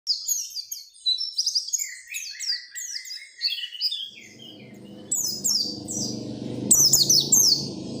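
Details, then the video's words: Oriental white-eye singing persistently, used to prompt other white-eyes to sing: rapid high, thin descending twittered notes in dense runs, later joined by a low rumbling background noise under sharper chirp bursts. "SUARA PELECI GACOR NGOTOT BIKIN PELECI LAIN RAJIN BUNYI BUKA PARUH"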